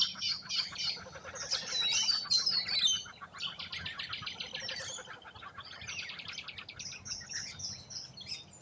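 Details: In Australia, rainbow lorikeets at a feed produce loud, piercing screeches and rasping chatter, most intense in the first three seconds, then a softer busy twittering that continues.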